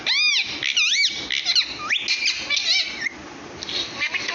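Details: Parrot trying to say "Allah": loud arched whistling syllables in quick succession, rising and falling like imitated speech, with some harsher squawky notes over background noise.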